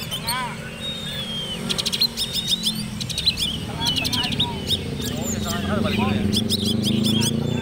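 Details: Competition Oriental magpie-robin entered in the black-and-white class sings bursts of sharp, clipped notes and a long thin whistle, while people chat loudly underneath.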